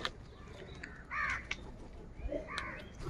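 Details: Many crows calling in the morning while fighting for food: two loud, hoarse, nasal caws about a second and a half apart, with softer calls and rustling between them.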